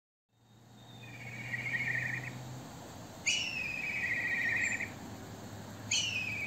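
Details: Black kite calling near Córdoba: three drawn-out, quavering trilled whistles, each starting with a sharp high note and then easing gently downward. A low steady hum sits underneath.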